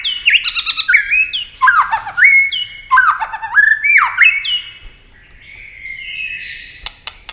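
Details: White-rumped shama singing at speed in competition, wings flicking and tail moving constantly: rapid repeated phrases of bright whistles with downward-dropping notes and buzzy overtones, about every second, ending in a softer warbled whistle and sharp clicks.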